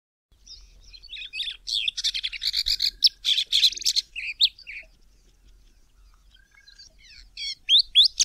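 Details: A Sabota Lark in the southern Karoo, South Africa, sings a rapid, varied jumble of sharp chirps and buzzy notes, with a pause and then a fresh burst of high, sweeping phrases.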